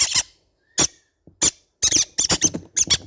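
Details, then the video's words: Baby green-cheeked conures making rasping, noisy squeaks, a few spaced calls at first, then a rapid run of overlapping harsh bursts toward the end, indoors. "sound of baby green cheek conure parrot birds"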